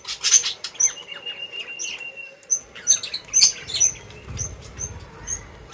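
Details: Feeding birds chirping busily: rapid sharp high tweets, about two a second, mixed with a thin sustained whistle early on and soft fluttering and pattering noises underneath.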